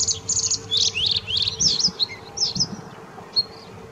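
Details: Singing bluethroat at the Offstein settling ponds: a loud, rapid string of high, rattling and buzzy phrases with abrupt pitch jumps, trailing off into scattered short chirps, with faint low background noise.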